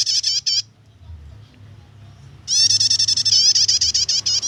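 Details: Prinia nyetater song for luring or tutoring birds: a brief stutter of sharp notes, a quiet pause, then a two-second stream of fast, evenly pulsed high metallic notes over a low hum.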